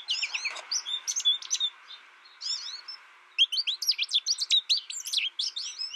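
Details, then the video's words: Bright, rising and falling chirps from an American goldfinch come in clusters, a short lull around three seconds, then a livelier run of high twittering notes. "American Goldfinch Sound"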